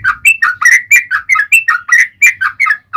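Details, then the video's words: Yellow-vented bulbul singing a long, rapid gacor song in the ropel panjang style: a steady run of short, bubbly, liquid notes rising and falling, about four or five notes a second, with no pauses. "SUARA trucukan gacor ROPEL PANJANG"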